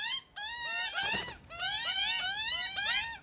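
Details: Australian magpie from a family raising chicks with one male and two females: a rich, fluty warble of upward-sweeping, slurred notes running almost without break, with one short pause after the first phrase.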